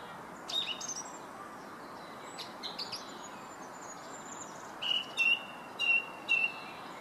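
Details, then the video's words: In Herttoniemi, Finland, a song thrush sings scattered high notes. It then repeats a clear whistled phrase four times, each about half a second apart, against a hissy background. "Laulurastas Herttoniemessä"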